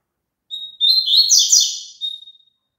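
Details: Double-collared seedeater song, played for a caged bird to sing along with: a thin whistled opening note, then a rich jumble of fast high twitters and buzzy trills, ending in a fading whistle.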